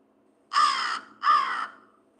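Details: Common Raven in Vermont giving two harsh, hoarse caws about half a second apart, each broad and rasping with a slight drop at the end, in a quiet room.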